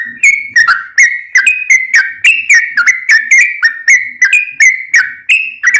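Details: Sooty-headed bulbul in lively fighting-style song, meant to train caged birds: steady run of clipped whistled notes with sharp onsets, roughly three per second, pitch wavering slightly between notes.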